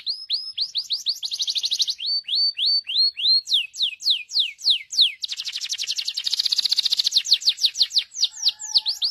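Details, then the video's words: A canary in Morocco sings a long, varied song: rapid trills of downward-sweeping whistled notes, fast rolling buzzy runs and clear repeated phrases, high and bright, with no other sounds. "تغريد الكناري"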